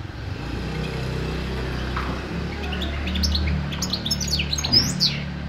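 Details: European goldfinch twittering: a quick, rising run of high chirps and tinkling notes breaks out in the second half over a loud, steady low hum.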